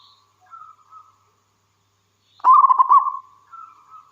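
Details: Local wild zebra dove, a frequent singer whose song is meant to set other doves singing. Faint, drawn-out cooing tones surround one loud, rolling coo phrase broken into quick pulsed notes.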